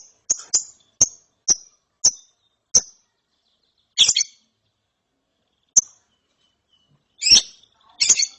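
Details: Following therapy, a young lovebird calls ngeriwik-style: a series of short sharp high chirps about every half second, broken by a few louder raspy double chirps and pauses.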